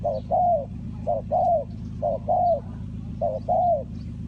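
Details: Spotted dove cooing in Ninh Thuận, Vietnam, in a bird-trapping context. A brief note is followed by a longer arched croo, repeated about once a second, over a constant low hum.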